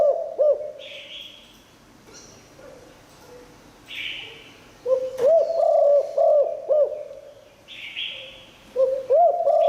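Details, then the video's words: Spotted dove singing in the 'liu tan' style, a bird with a good voice used to draw in wild doves. Low hollow coos form rhythmic phrases, with soft harsh hissing notes and quiet gaps between them. "เสียงนกเขาใหญ่หลิ่วตัน คารมดี"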